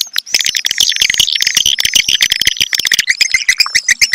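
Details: Calling swiftlets fill the recording with a continuous, crowded chatter of high, buzzy twitters and squeaky chirps, broken by quick clicking pulses, staying busy and shrill throughout.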